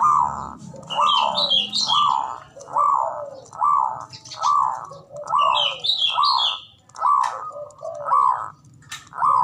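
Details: Male zebra dove calling, played as a lure to stir silent, lazy birds into singing: a steady run of rounded mid-pitched notes, roughly one a second, with higher chirping phrases laid over some of them.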